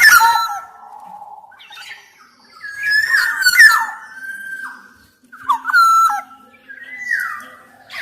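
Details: Black-naped oriole singing, meant as a lure and tutor for reluctant birds: rich whistled phrases that dip and slide, a harsh chattering burst, and later stepped fluting notes and a rising whistle, separated by quiet pauses.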